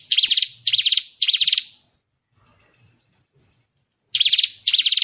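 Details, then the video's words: White-rumped shama (murai batu) giving tembakan, sharp shot-like song bursts, as training material for competition songbirds: three rapid high buzzy bursts, a two-second pause, then two more bursts, no other sounds. "Isian tembakan burung murai batu"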